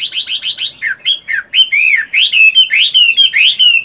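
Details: Caged Chinese hwamei of the fighting 'tam hoàng' type, moulting yet kept in morning voice practice, delivers loud, rapid phrases: repeated buzzy rising-falling notes, then clear whistled slurs and trills in quick succession.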